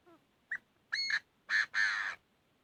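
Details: Chinese francolin fighting song: a brief falling note, a short sharp call, then three loud harsh grating notes, the last two longest, rising in a clipped phrase over quiet background.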